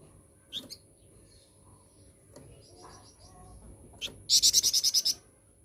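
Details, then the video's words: Flowerpecker singing as a lure to provoke other birds: scattered single high chips, then a closing burst of about eight rapid, shrill, repeated notes. "Pancingan Burung Flamboyan"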